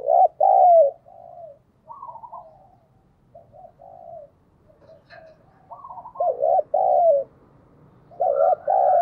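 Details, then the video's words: Spotted dove decoy cooing to lure wild doves, in the local 'thổ' voice style. Loud two-part coos open and close the recording, with a fainter, softer cooing series between them. "Chim cu gáy mồi chuẩn thúc & gáy gọi kích bổi nhanh nổi hiệu quả"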